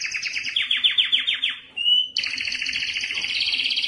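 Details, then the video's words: Canary in mating song, quick repeated notes sweeping downward in a rapid rattle, a short pure whistle, then a dense buzzy trill running on steadily. "اقوى تغريد كناري للتزاوج"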